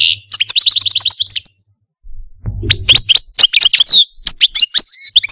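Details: Algerian Parva goldfinch kept as a caged pet sings a fast trilled phrase, falls silent briefly, then resumes with sharp sweeping chips and ringing whistled notes.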